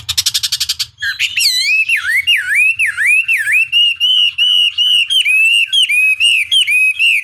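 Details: Chinese hwamei long-duration lure song for provoking an opponent to reply; a brief rapid rattle, then a steady series of loud swooping whistles, V-shaped slurs repeated about twice a second.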